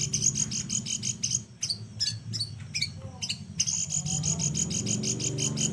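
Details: Flowerpecker master recording for teaching other songbirds, unique singing style. Dense rapid high ticking trill, interrupted midway by several quick sharp descending notes, then resuming, over a loud low mechanical hum.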